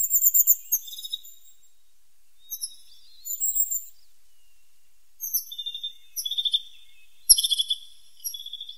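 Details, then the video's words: Singing tit: scattered phrases of very high, sharp, descending chirps, some rapid and stuttered, separated by silent gaps, with a single loud click partway through. "The sound of a pointed tit 's voice"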